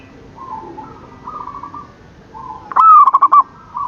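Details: After soft distant cooing, a single loud zebra dove phrase bursts in near the end: a long coo then several quick stuttered notes, recorded in the morning.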